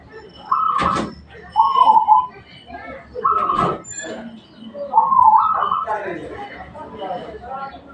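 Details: Local zebra dove singing actively: short cooing phrases at mid pitch, about four bursts spread over eight seconds, with sharp clicking knocks between them.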